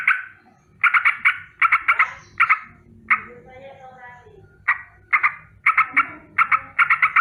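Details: In the morning a sooty-headed bulbul chatters a rolling danger alarm: harsh bursts of three to five notes, broken by a pause of about two seconds filled with low background murmur, then resuming.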